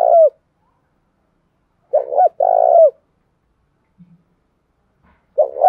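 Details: Spotted dove coos used as a lure to excite rival doves: repeated low phrases about every two and a half seconds, each a short double hoot run into a long buzzy purr, with silence between.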